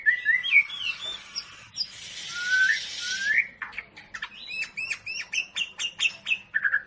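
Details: White-rumped shama of the long-tailed Medan type during a pairing process for breeding: clear whistled slurs, then a harsh broad buzzing rasp, followed by a rapid series of sharp repeated chips and a final whistled note.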